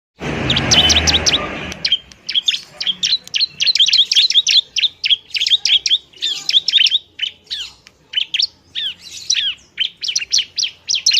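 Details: Bar-winged prinia, a captive bird in semi-active singing form, fighting song used to lure and stimulate lazy birds to sing: rapid sharp high chirps and ticking notes repeated in quick bursts, after a loud rustling start.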